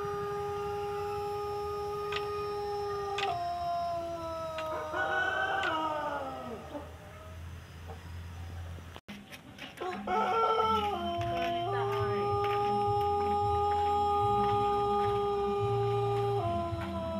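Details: A Pelung rooster about a year old, described as contest-ready, gives a very long, drawn-out melodic crow that holds steady tones and steps downward.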